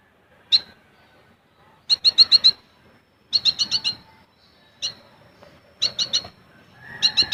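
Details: ['Olive-backed sunbird giving besetan and tembakan bursts meant for tutoring caged birds: short, rapid clusters of four to six sharp, high metallic notes, repeated in spurts separated by brief pauses.']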